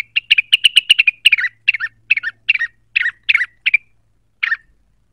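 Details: Cucak wilis worked up by a lure call and looking for a rival: a fast volley of sharp ticking chirps slowing into slurred, falling two-part notes, ending with one isolated call.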